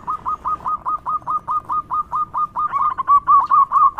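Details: Local zebra dove singing loudly, used as a lure to draw out other doves: a steady run of about twenty short, clipped coo notes at mid pitch, growing louder and slightly higher near the end.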